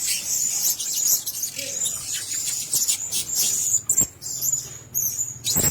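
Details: Several Blue-crowned hanging parrots sharing a cage produce sharp, high, squeaky chirps in quick runs, with a faint low hum and a few sharp taps in the background.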